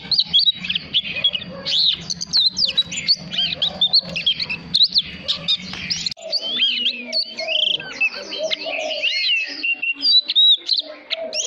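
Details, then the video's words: Voice-training song of an oriental magpie-robin, meant for coaching young birds: a dense, fast stream of sweet whistles, slurred notes and chattering twitters, a low background drone for the first six seconds, then clearer. "Choè than hót kích bổi /luyện giọng chòe cực tốt ép giọng chòe than non"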